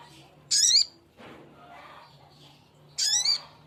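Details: Male sogok ontong summoning a female: two loud raspy, rising screeches about 2.5 seconds apart, with a soft rustle and faint murmurs in between.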